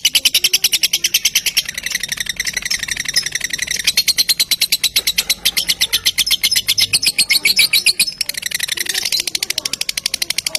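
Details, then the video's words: Lovebird lure song played to make other lovebirds join in. Fast, continuous, shrill chattering runs on unbroken at roughly five pulses a second, high and scratchy throughout. "Langsung Lovebird Anda Ikutan Narik Bila Mendengar Suara Pancingan Ini"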